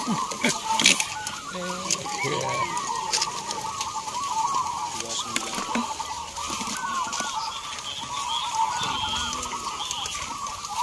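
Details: Contest chorus of local zebra doves at Gantangan Cemeraya, Yogyakarta, Indonesia: dense, repeated rolling coos overlap without pause. Some softer low calls and scattered clicks come through in the first seconds.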